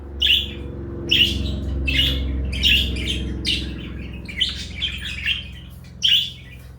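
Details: Pet parakeets, one blue and one light yellow, chirp in quick short notes about once a second, high and slightly buzzy, over a steady low hum from the room.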